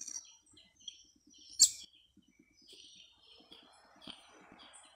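Sayaca Tanager giving thin, squeaky high chirps and twitters in an uneven run, with one sharper burst; a low voice is faintly heard underneath.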